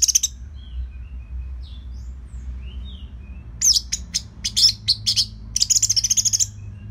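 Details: An orange-headed thrush (Geokichla citrina) in full song, used as a master and provocation recording for other birds, sings high, sweet whistled phrases, then a rapid burst of sharp chips and trills, with a low hum underneath.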